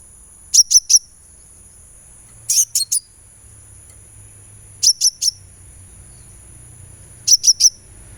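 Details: Sunbird therapy sound to get a kept bird singing: four bursts of three sharp, very high chirps, spaced about two seconds apart, against a quiet background.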